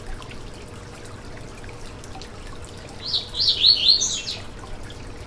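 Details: Song of the Yellow-bellied seedeater, meant to stimulate a kept bird. After three seconds of soft hiss, one rapid phrase of thin, high, wavering notes arrives, loudest near its end.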